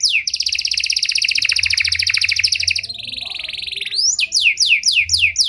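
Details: Panda canary, sung as a bait song for training other canaries: an extended rattling high trill, a softer lower rolling trill, then evenly spaced downward-slurred whistles about four per second.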